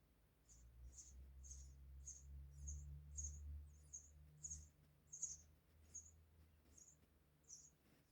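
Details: House sparrow chicks in the nest waiting for their parents, hungry and begging: thin, high-pitched chirps repeated about twice a second in an even series, over a low steady hum.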